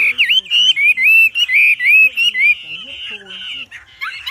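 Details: Wambi belting out a loud master song for birds in training: looping whistled notes repeated three times a second, then softer trailing notes and a final sharp twitter.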